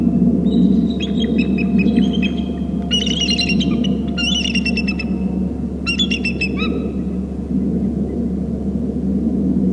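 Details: Two bald eagles land on a babysitting tree near their nest on Hornby Island, calling as they arrive; several rapid bursts of thin, high, chittering piping notes, some falling in pitch, over constant low rumbling background hum.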